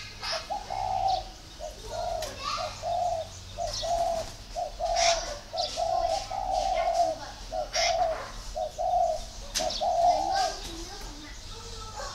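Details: Spotted dove from northern Vietnam cooing steadily, a long run of low hoarse coo phrases, each a stuttered start and a held note, repeating about every second with short gaps, along with clicks and a faint background hum.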